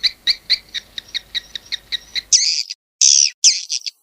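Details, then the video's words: Swiftlet, shared 18 August 2021: a row of regular paired-tone chirps, then three loud, harsh, buzzy screeches with short gaps. "suara walet"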